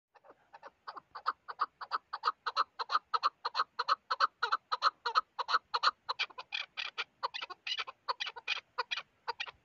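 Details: Chukar partridge giving a long run of rapid, harsh clucking notes, about three per second, steady and loud throughout, building slightly in intensity toward the end.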